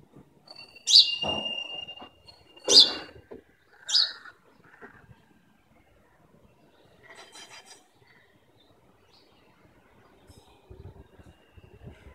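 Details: An Indian house sparrow in the morning gives three loud, harsh chirps in the first four seconds, then only faint, scattered chirps and soft background noise.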